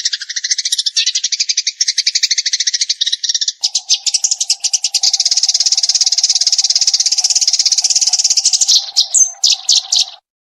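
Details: Eurasian tree sparrow giving 'full tembakan' chattering for use as a training recording: a long, dense stream of rapid high chirps, with a few louder separate notes near the end before it stops. A steady low hum joins midway.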